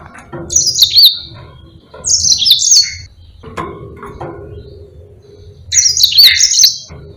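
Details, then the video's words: Yellow-fronted canary in long, lively song, a tutor recording for other birds such as white-eyes. Three short bursts of high sweet twittering come a few seconds apart, with quiet low hum between. "Burung Mozambique GACOR NGEROL PANJANG"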